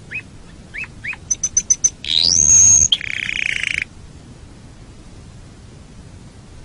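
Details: Canary song from a training recording for songbirds: a few rising chirps and high pips, then a loud harsh buzzy stretch with a rising whistle, followed by a rattling trill and quiet pauses.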